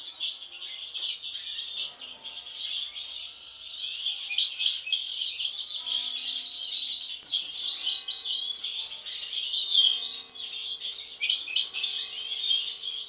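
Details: European goldfinch siblings kept by a breeder, singing a continuous, fast, high twittering song of liquid chirps, trills and buzzy notes that runs nearly unbroken, with a few faint lower tones and little background noise.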